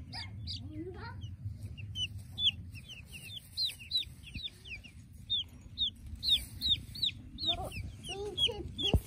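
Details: Tame Easter Egger chicks, bred in Australia and being handled, giving a steady series of high, thin, downslurred peeps, several each second, over low handling rumble and a few soft human sounds.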